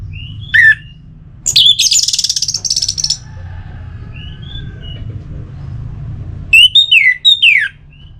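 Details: Orange-headed thrush singing, used to encourage birds to sing: a brief falling whistle, then a burst of rapid harsh buzzy notes, soft high whistles, and finally a quick run of loud descending whistled slurs, with a low hum throughout.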